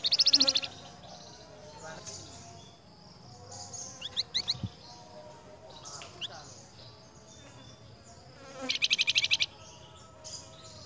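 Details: A flamboyan answering another flamboyan's voice gives high, rapid buzzy trills at the start and near the end, with a few sharp chirps between, over faint background hiss.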